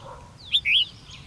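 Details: Red-whiskered bulbul in a competitive-singing trap setup, 13 February 2016: a crisp rising note followed by a drawn-out, undulating whistle, loud and clear above a low steady rumble.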